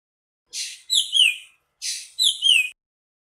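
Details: Nightingale singing: a hissing burst followed by high, sliding whistled notes that fall in pitch, with the same phrase given twice about 1.3 seconds apart.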